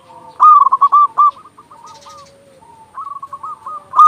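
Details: Loud local zebra dove used as a training voice to get doves singing: a rapid run of clipped coos trailing into softer notes, a pause, then a quieter, more distant coo series and a fresh loud start.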